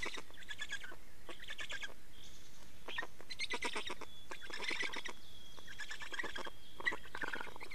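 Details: Black storks at an Estonian nest during a nest change and feeding, 24 May 2019, 15:15: bursts of harsh, rasping, pulsed squeaks in clusters with short gaps, plus a faint thin steady whistle in the background.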